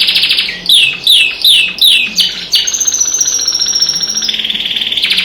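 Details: A canary kept as a pet sings with birds outside the window: a string of five loud downslurred whistles, then a long, even, rapidly pulsed rolling trill.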